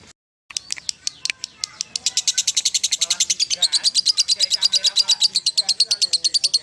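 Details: Starting with a few scattered squeaks after a moment of silence, a lovebird speeds into its ngekek song, the harsh notes crowding together into a fast continuous chatter that runs to the end.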